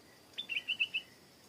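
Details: Stripe-throated bulbul singing near a garden: a brisk run of about five short, bubbly, high notes at an even pace, clear against a quiet background.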